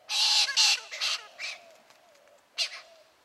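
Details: Parrots in a garden feeding on the fruits of a Christmas tree: loud, harsh, buzzy squawks, two close together at the start, then shorter rasping notes and a final squawk after a quiet pause.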